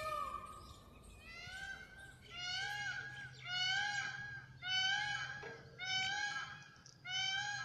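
Indian peafowl giving loud, nasal, wailing calls rich in harmonics, repeated about every second, with a faint low hum underneath.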